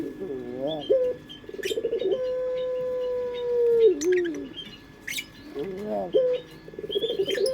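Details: Local Indonesian domestic dove singing the prized pelung-style coo, played as a lure: a pulsed, warbling opening, then one long, steady, low, drawn-out coo sliding down at the end, repeated twice. Faint chirps from small birds sound behind.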